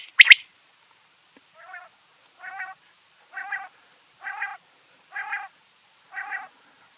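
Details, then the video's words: A quail, in a recording used for catching quail, gives six short, nasal, mid-pitched notes, about one every second, growing louder, after a sharp click at the start. "Quail Sound"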